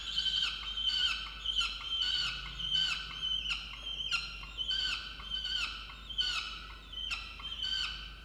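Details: Peregrine falcon on a research nest box camera in a water tower, Orange, New South Wales, Australia, 8 November 2022, scolding its mate over breakfast; rapid, evenly spaced strident notes, about ninety-eight a minute, hoarse and ringing.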